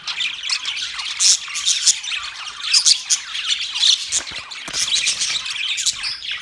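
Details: Continuous budgie chatter, high and raspy, mixing squeaky squawks with brief warbled tweets from several birds calling at once.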